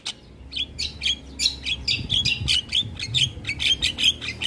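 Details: Asian pied starling belting out its song to provoke neighbouring starlings, a steady stream of harsh chattering and squeaky notes about two to three per second, over low background hum.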